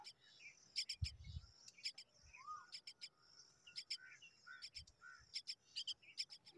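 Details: Common myna young, hungry and awaiting their mother, call in steady clusters of scratchy high-pitched begging notes over a faint hiss, with a brief low thump near the start.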